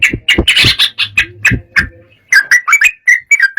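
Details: Excited yellow-vented bulbul, its heated singing said to make rival birds answer: a loud scratchy jumble of notes with low thuds, a short gap, then clear whistled notes rising and falling in a quick sequence.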